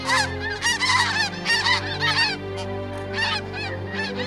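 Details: In autumn, a flock of snow geese arriving to winter in the Fraser Delta gives overlapping high, nasal, barking honks, several per second, over a steady low hum.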